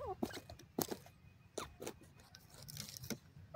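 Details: A francolin disturbed in the forest gives short, falling, nasal chip notes in uneven bursts, about one or two a second, over rustling and crackling clicks.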